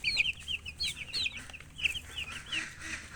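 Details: Young chicks chirping together, bright high peeps in quick bursts and short runs, overlapping calls forming a lively, restless chatter across the whole stretch.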